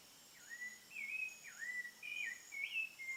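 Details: Thrush singing at sunset in the countryside: clear slurred whistles that dip and rise, given in short phrases about every half second, over a steady high insect-like hiss and a faint low hum.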